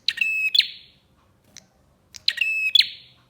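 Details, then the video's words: Bar-winged prinia song meant to prompt other prinias to sing: two strong, buzzy, harmonic phrases bounded by sharp clicks, a faint tick between them, otherwise silence. "PANCINGAN BURUNG PRENJAK GACOR"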